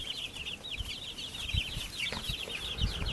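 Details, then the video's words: Baby chicks raised in a backyard cheeping in a constant high chorus, short rapid peeps crowding together, with soft thuds and scratching sounds beneath. "Baby Chicks Chirping Sounds"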